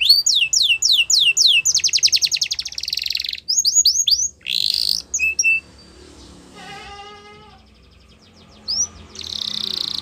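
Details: Training song of a Yorkshire canary, meant for young canaries: repeated falling whistles and a fast buzzy trill, a few sharp notes, then quieter stretches with a brief rolled trill near the end.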